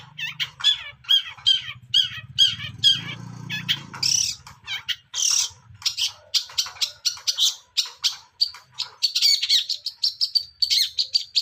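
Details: Young long-tailed shrike from the forest singing continuously in ngacor style: rapid run of harsh, buzzy, high chattering notes, some scratchy bursts grouped closely, then quicker sharp clipped notes toward the end, with a faint low hum beneath.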